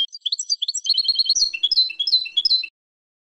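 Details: European goldfinch training song, a continuous rush of liquid, warbling twitters and chirps at a quick pace, high and sweet, lasting under three seconds.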